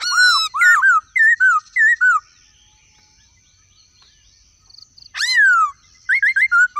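Black-throated laughingthrush giving loud, clear whistled phrases, rising then falling, in quick bursts, with a pause and a sharp descending whistle before more rapid notes.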